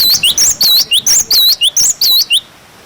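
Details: Cinereous tit song used as a tutor recording for young birds: clear high whistled notes, each with a quick rising or falling slur, delivered in a fast run of about ten notes, then stopping.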